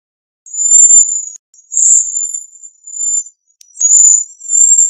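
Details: Cedar waxwing calling with a run of high, thin, lisping whistles, some slightly buzzy and trilled, the notes long and steady in pitch, clean quiet background.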